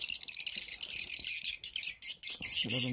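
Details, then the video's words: Edible-nest swiftlet lure calls in a stereo version for swiftlet farmers, used to attract swiftlets to nest houses: dense, fast, buzzy high twittering without pause, with a short burst of human speech at the end. "SP BULAN MADU [L] & SP BLACK PHOENIX [R] VERSI STEREO"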